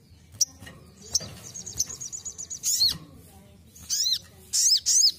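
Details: Ruby-cheeked sunbird basic song for training: isolated high sharp notes, a thin rapid trill of repeated high ticks, then loud clusters of downward-arched chirps near the end.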